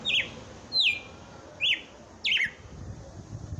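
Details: Captive Red-cowled cardinal singing in Brazil on Christmas Day: four clear whistled phrases, each a quick downward slur ending in a flat note, spaced under a second apart, faint background hum.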